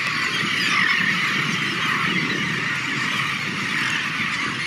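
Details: A dense chorus from a colony of thousands of seabirds at Ft. Wool, Hampton Roads, nesting on makeshift sand-covered structures and barges, gives many harsh, squealing calls overlapping without pause over a steady low rumble of wind or surf.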